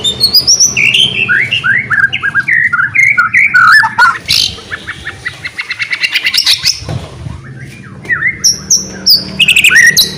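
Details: White-rumped shama pouring out loud varied song to set other shamas singing: descending series of whistled slurs, a harsh burst, a fast rattling trill, then sharp high upsweeps near the end.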